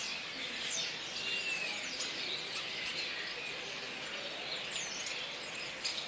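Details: A busy mass of common starling calls: overlapping high chirps and squeals with quick downward slurs, one longer clear whistle near the start, all over a constant noisy hiss.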